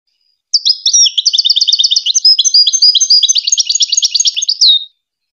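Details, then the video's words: Long unbroken goldfinch song phrase, recorded as tutoring for hybrid chicks: bright, high, fast-repeated twittering notes in shifting trills over about four seconds, finishing with a quick upslurred note, in total quiet. "The best singing to teach hybrid chicks and goldfinch"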